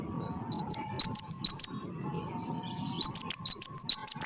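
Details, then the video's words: High, piercing song of a wingko-type gelatik batu, the Cinereous Tit: quick runs of sharp two-pitch notes delivered in two bursts with a gap between, over a steady faint hum. "gelatik batu wingko gacor"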